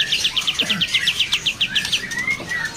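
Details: A kapas tembak bulbul from Sumatra, caged at a bird market in Jakarta and said to sing often, gives a quick, even string of about fourteen sharp, high notes, then a couple of clear, sliding whistles, with faint background chatter.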